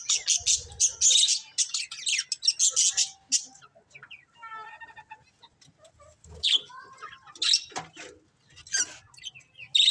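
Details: Budgerigars kept as colourful pets chirp in rapid high twittering runs, then pause before scattered sharp chirps and short warbled phrases return in separate bursts.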